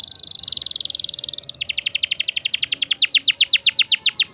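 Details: Canary singing to stir other birds: a fast high pulsing trill switches abruptly to a steady run of sharp downward-swept whistled notes growing louder, about four per second.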